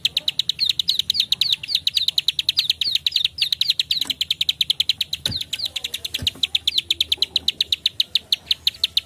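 Bar-winged prinia giving a fast, steady series of high, sharp clicking chips, about six per second, with no break and no other sounds.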